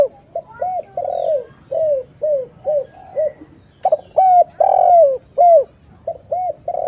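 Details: Spotted dove calling as a lure to attract other doves. Continuous runs of deep, arched coos, brief and drawn-out notes interleaved, with one short pause midway.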